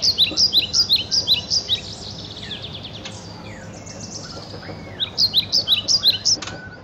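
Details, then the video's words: Young White-crowned Shama, murai batu, about four months old, singing while taking an afternoon bath: a series of high, sharp, evenly spaced chirped notes, pausing, then repeating, over a steady background of splashing and rushing noise. "Shama Bird Singing While Taking Bath"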